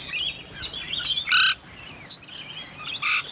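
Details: Wild Rainbow Lorikeets drenched by rain in eastern Australia: thin chattering squeaks punctuated by two short, loud rasping screeches and a sharp click-like note.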